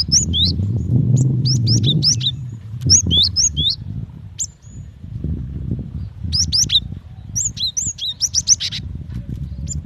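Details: Female cinereous tit calling for the male, giving scattered groups of bright, high, slurred chirps separated by short silences, with faint low noise beneath.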